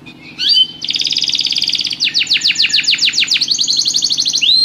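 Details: Singing canary, rhythmic and spectacular: a brief whistled onset, a long steady buzzing trill, a quick series of downward sweeps, then another rolling trill ending in a rising note.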